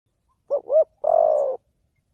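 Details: Spotted dove lure call used for trapping: two short rounded coos, then one long, slightly rough, level coo about half a second long, each low and hollow, in otherwise quiet surroundings.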